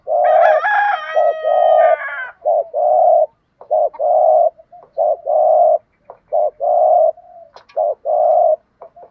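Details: Spotted doves, male and female, cooing to stimulate trained birds to coo. A harmonic, crow-like call opens the clip, followed by a steady series of short, low, even coos repeated at about one per second, with brief pauses.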